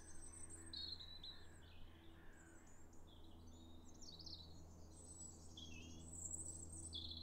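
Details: European Robin singing to mark territory in winter, 9 January 2022, on wooded paths around Holme Farm: high, thin, varied warbled phrases, some sliding, with short pauses between them, over a steady low hum.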